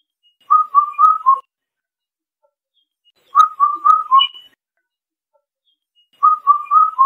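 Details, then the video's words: Indian cuckoo singing: four clear whistled notes, the last one lower, repeated about every three seconds against a quiet background. "Tiếng chim Bắt Cô Trói Cột hót hay"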